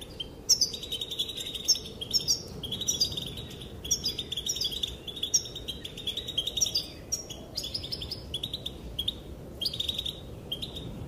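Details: Female European goldfinch calling, said to set the males dancing: busy high twittering of short bright chirps and trills, almost continuous over eleven seconds, with brief pauses, over faint low background hum.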